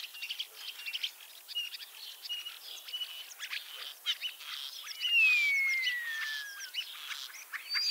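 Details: Ringed common starling in Liepāja, Latvia, back for a third spring with an injured leg, giving a chattering medley of clicks and squeaks, then a long clear whistle sliding downward, followed by more crackling notes.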